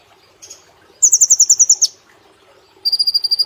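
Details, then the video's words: Vigorous song of a brown-throated sunbird kept in a cage, in the 'nembak platuk cililin' style for training other cage birds; a soft note, then a rapid high trill ending in a falling flick, followed by a steadier lower trill. "Kolibri Ninja Gacor Nembak Platuk Cililin Sejalur"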